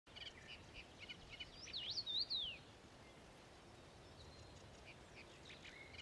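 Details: Common ringed plovers at Ilmatsalu on 1 June 2017 give a short run of clear, high whistled notes, each rising then dipping, over steady background noise with faint chirps.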